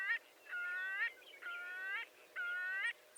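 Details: Marbled godwit, a large shorebird, gives three drawn-out nasal, honking calls, each about half a second long with a slight upward bend at the end, spaced roughly one second apart over a soft background hiss.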